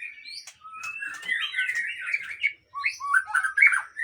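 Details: White-rumped shama from a breeding facility, locally called murai Aceh, pouring out a rich warbled song of looping whistles and buzzy trills, with a short break before a fresh burst of fluty notes.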